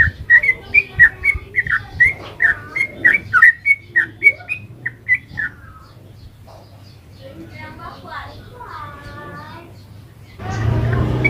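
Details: Sooty-headed bulbul (trucukan) in 'ropel panjang' lure song for eliciting replies: about five seconds of quick loud whistled notes, then quieter scattered chirps and a harmonic call, ending with a sudden burst of broad noise.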